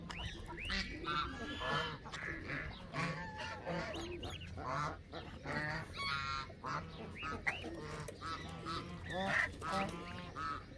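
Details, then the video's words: A flock of Canada geese honking continuously, many overlapping nasal calls rising and falling over about ten seconds, with a faint low hum beneath. "وز كندي"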